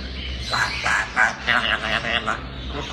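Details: Talking grey parrot, described as playful, producing a rapid run of speech-like syllables with a voice-like rhythm, about seven quick bursts within three seconds.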